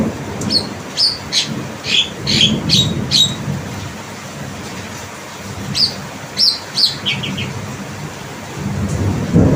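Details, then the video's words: Javan myna, a tame bird, giving unusual calls: a run of short, harsh, buzzy notes, then a second burst of rasping chirps, over a rumbling low background noise. "Jalak kebo Suara Unik"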